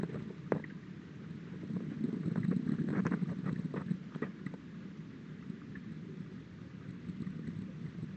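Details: Low wind rumble with scattered taps and clicks like raindrops or rustling.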